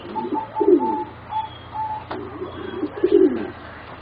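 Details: Four young zebra doves, about three and a half to four months old, from birds bred for singing competitions. Short repeated higher notes are followed by low swelling coos, and a sharp click sounds in the middle.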